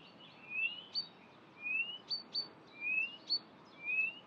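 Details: Blyth's reed warbler, a mimic of other birds' songs and calls, singing at Far Ings Nature Reserve, UK, 11 June 2020; long rising whistled slurs alternate with sharp high notes and faint clicks, about one phrase per second.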